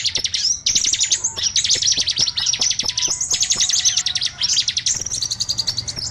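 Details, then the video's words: Small-bird lure sound of fast, high twittering phrases packed tightly together, with sharp chips and short trills repeating throughout and a faint low hum underneath. "Suara Pikat burcil ampuh"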